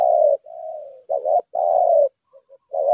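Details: Spotted dove kept as a decoy for challenging wild birds, cooing in near-continuous hollow, mellow low notes, long drawn coos broken by short double notes and brief soft clicks, with a faint constant high whine behind.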